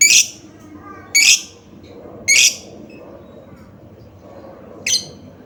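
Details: Lovebird calls played to lure lovebirds into singing: four harsh, buzzy screeches at irregular intervals over a steady background murmur.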